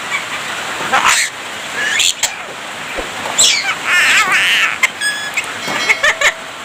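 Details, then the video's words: Javan myna song full of imitated human speech and coughs: loud raspy bursts, a wavering nasal phrase, then rapid ticking clicks and brief whistles. "Oceh Mewah Jalak Kebo Gacor Dor,Full isian suara manusia dan batuk batuk"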